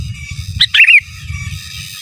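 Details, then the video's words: Single phrase from a sooty-headed bulbul singing gacor, giras and menggaruda, meant for masteran: a clipped high note, then rapid bubbling slurs falling slightly, against constant low-pitched background rumble. "Suara Burung Kutilang Gacor Giras dan Menggaruda Cocok Untuk Masteran"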